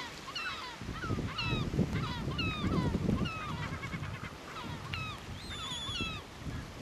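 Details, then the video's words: Caspian tern at Tararu on the Coromandel coast of New Zealand, filmed while preening, begging, taking off and landing; repeated short harmonic calls with bending, slurred notes, several in quick series, over heavy low rumbling background noise. "Caspian Tern (Sterna caspia)"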